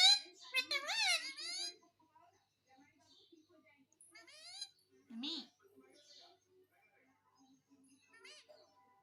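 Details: Talking pet parrot asking for roti; a loud run of wavering, voice-like harmonic syllables for almost two seconds, then scattered quieter mimicked syllables and clicks with gaps between.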